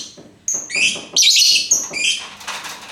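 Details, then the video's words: Lovebird giving a quick series of sharp, high chirps and raspy squeaks, clustered in short bursts of about half a second with brief gaps. "Bagaimana cara agar Love Bird mau Ngekek"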